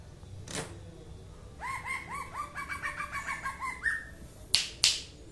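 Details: Chestnut-eared Leafbird from Aceh singing a run of rapid, upswept whistled notes repeated about three times a second, climbing in pitch, with a few sharp clicks near the end.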